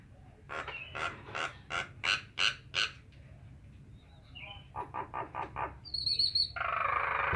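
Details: Nias hill myna giving a rapid run of loud, harsh notes about every third of a second, a brief pause, a second quicker burst, then a long broad rasping sound at the end.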